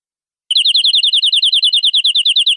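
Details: Canary tutor song for training young canaries: a short burst of about twenty rapid, chirping, slightly wavering notes repeated evenly after a brief silence.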